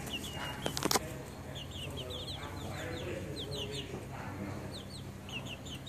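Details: Young chickens peep in a crowded chorus of brief, high, falling notes; a couple of loud clattering knocks early on, then the chicks' calls continue over a constant low hum.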